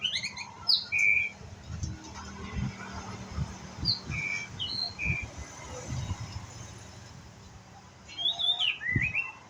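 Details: Young white-rumped shama learning to sing: scattered short whistled notes and brief slurred phrases at mid to high pitch, separated by pauses, over low rumbling background noise and faint knocks.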